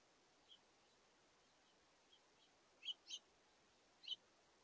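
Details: A house finch family, adults and juveniles, visiting a backyard feeder at brunchtime on 17 August 2023, the young jostling for position. Faint, scattered high chirps, with a few sharper paired notes near the end over steady background hiss.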